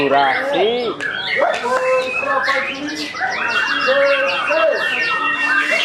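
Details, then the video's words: White-rumped shama in its first strong song following moult, during training: arched, looping whistles and long steady tones mixed with quick chirps and rattling clicks, delivered without pause. "Perdana Gantang Pasca Mabung MB"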